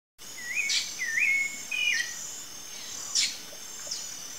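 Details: Rufous-bellied thrush, free in the wild: three short whistled phrases around the middle of the range, each sliding and ending with an upward flick, then two sharp high notes, over a steady high insect drone.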